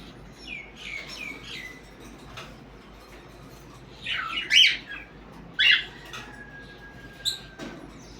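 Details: Parrots in the morning giving harsh, rasping squawks and short chirps, a few scattered early calls building to two loud bursts in the second half, with a thin whistled note near the end, in a quiet indoor setting.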